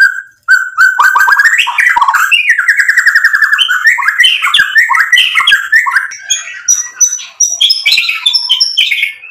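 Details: Continuous white-rumped shama song meant to provoke rivals: rich, rapid warbling that slides and jumps in pitch, full of varied whistled notes, ending in higher chattering phrases.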